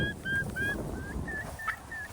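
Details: Wild turkeys feeding on grasshoppers in a backyard as rain starts give a string of short, clear whistled notes, some flat and some slightly rising, several per second, over low rumbling background noise.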